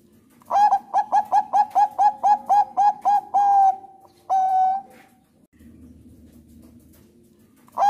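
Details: Song of a Bangkok-type zebra dove (perkutut), used for training and luring doves to sing: about eleven staccato cooing notes in quick succession, two longer held coos, a quiet gap with faint low hum, then a new note starting.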